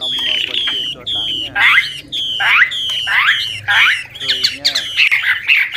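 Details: Old wild Chinese hwamei singing varied, continuously shifting phrases that are used to stimulate young birds to sing. Loud clear whistled notes alternate with sweeping rising and falling slurs, repeated roughly every half second in a lively stream.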